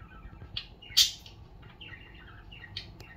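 Budgerigar chatter: quick, scratchy chirps and short warbled notes, with one sharp louder squawk.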